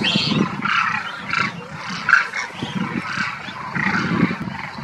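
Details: Flock of demoiselle cranes in India's desert state of Rajasthan, around Kheechan village, wintering after migrating from Mongolia: many overlapping honking, trumpeting calls forming a steady din, with some higher, sharper notes.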